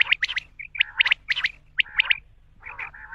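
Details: Male common quail uttering crisp, high notes in quick groups of two or three, each group evenly spaced, ending with a softer, hoarse, nasal call.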